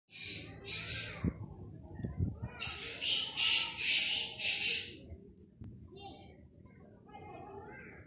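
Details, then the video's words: Black francolin calling in a hunting setting: two harsh rasping notes, then a loud series of four buzzy, grating notes in quick succession, followed by fainter echoing notes and a low rumble of background noise. "Titer ki best awaz, Kala titer, black francolin calling for hunt"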